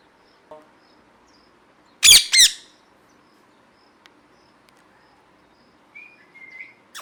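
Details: Parrot calling with two loud, grating screeches close together after a quiet stretch. Softer rising whistled notes and small clicks follow later.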